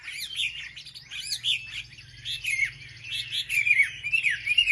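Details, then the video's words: Wambi song played to provoke rival wambi birds: soft, warbling twitters weave into brighter sharp whistles that grow louder toward the end. "pancingan suara wambi paling ampuh untuk memencing emosi burung wambi"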